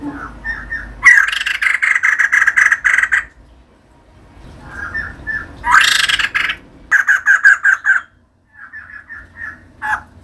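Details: Female white-crested laughingthrush in full active song, giving loud, harsh, noisy bursts and rapid pulsed chatter in uneven phrases separated by short pauses, ending with a sudden sharp burst.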